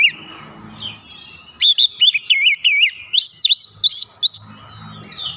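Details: Oriental magpie-robin reacting to a lure recording with an insistent song: a fast series of sharp, looping whistled notes, roughly ten in a row, over faint low background noise.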